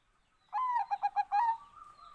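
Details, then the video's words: Zebra dove of the Bangkok type singing one phrase: a drawn-out descending note, then three short rhythmic coos and a longer closing note that fades into a soft tail, against a quiet background. "OCEHAN BURUNG PERKUTUT BANGKOK"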